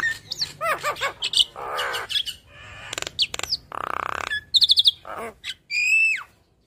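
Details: Yellow-eyed Javan myna chattering tirelessly from morning to night: a loud, varied run of harsh buzzy bursts, clicking trills, and sharp rising and falling whistles, each phrase short and abruptly changing, with brief pauses between.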